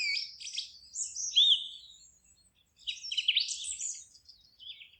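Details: Forest birdsong: high, rapid twittering phrases with one clear rising-falling whistled note, a short pause, then another tumbling burst of chirps that fades out, over a faint low rumble.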